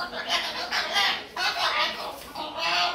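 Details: A talkative pet Moluccan cockatoo, able to talk but untrained, chatters in harsh, raspy, speech-like bursts, nearly nonstop with one brief pause partway through.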